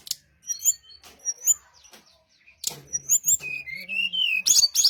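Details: Lure song of a brown-chested jungle flycatcher meant to make rival birds answer: scattered thin high chirps, then a denser run of whistles and a gliding, wavering whistle, ending in sharp bursts.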